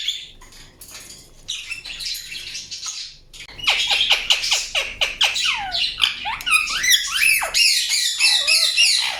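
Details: Indian ringneck parakeet: soft scratchy sounds at first, then a loud rapid string of sharp down-swept chirps and harsh chatter for the rest.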